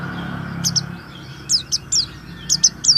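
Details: Lively warbling white-eye song used to stimulate reluctant white-eyes: soft, high descending chirps in pairs and short runs, fainter than usual, over low background rumble.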